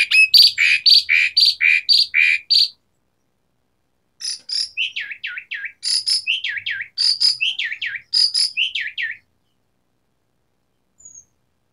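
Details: Asian pied starling in vigorous song: a run of raspy chattering notes, a gap, then rising and falling wavering whistles mixed with sharp high clicks in repeated groups.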